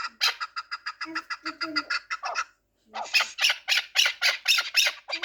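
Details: Pamir chukar partridge, a four-year-old fighting and hunting bird, gives fast runs of harsh, raspy chuk notes, about three or four a second, pausing briefly midway before a louder, brighter series; faint low voices underneath.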